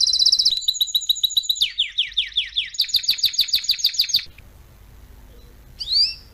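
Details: Canary song for teaching young canaries: a string of quick tours, a steady high note, then doubled pulses, falling sweeps and fast pulsed notes. Next comes a pause and one brief rising chirp.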